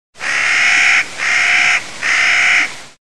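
A Clark's nutcracker gives three harsh, grating, drawn-out 'kraaa' calls in quick succession, each under a second long, with no other sounds.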